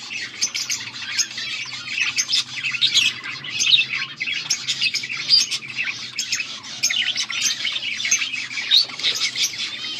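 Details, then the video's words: Group of budgerigars chattering, recorded August 14, 2024: an unbroken stream of high warbles, squeaks and quick chirps from several birds over a soft low hum. "Budgies sounds for lonely birds birds chirping sounds"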